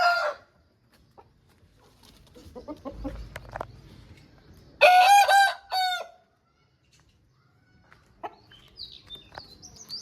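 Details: Aseel rooster giving one loud, hoarse crow of about a second, shaped in two strained parts. Quieter clucks and rustling come before and after, with a faint high bird note near the end.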